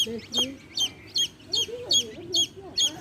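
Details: A hen's baby chicks peep in a steady, high, sharp rhythm about twice a second, while the hen answers with low, gently rising and falling clucks.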